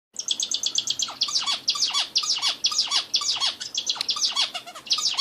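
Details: Bulbul singing a rapid, dense stream of high chattering notes with short downward-slurred whistles running underneath, continuous for about five seconds.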